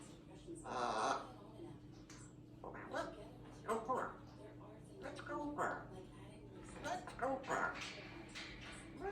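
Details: Young African grey parrot, a pet female, sitting contentedly in her cage at home practising words; quiet speech-like mumbles and short phrases come in scattered bursts, with a steady low indoor hum beneath.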